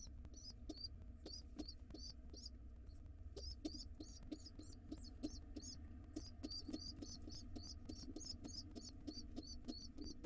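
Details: Father pigeon returns and his wild nestlings beg to be fed fast: a steady stream of sharp, high, squeaky peeps, many per second, with faint taps and fluttering in the background.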